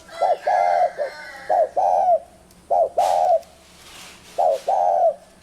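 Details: Spotted dove cooing in close paired notes, a quick hoot and a longer mellow coo, repeated several times, with a brief rustle or bump in the middle.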